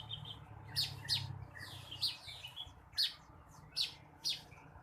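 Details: Blue-winged leafbird singing in the morning, used to stimulate other birds: five or six bright, sharp chirps spaced about a second apart, each a quick downward-sweeping burst, over a low steady hum.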